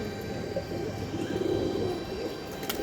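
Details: Low, bubbling pigeon coos swelling in the middle of the recording, a warbling murmur over faint hum, with one sharp click near the end.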